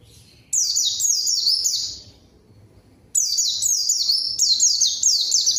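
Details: White-eye singing vigorously as a lure for rivals and silent birds: high, sweet, quickly repeated falling whistles, delivered in a first burst and then a longer, denser run after a brief silence.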